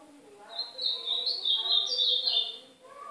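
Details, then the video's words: Ultramarine grosbeak (azulão do nordeste), a pet bird being warmed up to sing as training: a continuous warbled phrase of rapid varied notes high in pitch, swelling then fading, with faint lower background tones. "Esquentar meu golinha canto do AZULÃO DO NORDESTE!!!"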